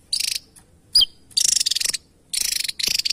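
Javan tesia giving high, buzzy bursts of rapid pulsed notes, each about half a second long, with one sharp whistled note between them.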